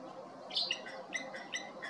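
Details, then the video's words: Cape wagtail at Ogies, Mpumalanga, giving short, bright whistled notes, a few high chirps about half a second apart over a faint hiss of background noise. "Cape Wagtail beautiful whistle"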